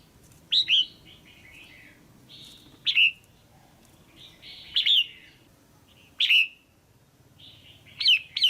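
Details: Female red-whiskered bulbul kept in a cage, calling to excite a male or to pair: five loud sharp chirp bursts spaced one to two seconds apart, softer warbled notes filling the gaps.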